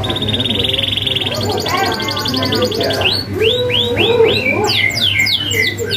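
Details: Active canary song for tutoring young birds: a level rolling trill gives way to looping downslurred whistles and quick high sweeps, with a steady low hum.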